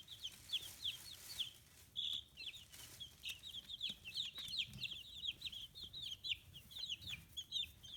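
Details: Fifteen-day-old chicken chicks, feathers coming in, on a free-range poultry farm in Kitahiroshima, Hiroshima, Japan, give a steady stream of high, short peeps. The notes are rapid and overlapping, some slurred up or down, with brief louder bursts.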